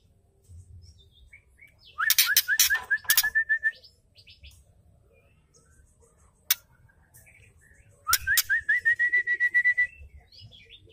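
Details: Female white-rumped shama ketrekan used to stimulate males: loud harsh clicking bursts lead into a fast rattling series of rising chirps. The pattern repeats twice, separated by a single sharp click.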